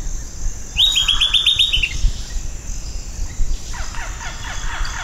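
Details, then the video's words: Silvered Antbird (Sclateria naevia) gives a quick run of about nine sharp, high notes that slip slightly downward, with a fainter second series and low background rumble. "O Canto do PAPA FORMIGA DO IGARAPÉ (Sclateria Naevia) Bird Song - Silvered Antbird"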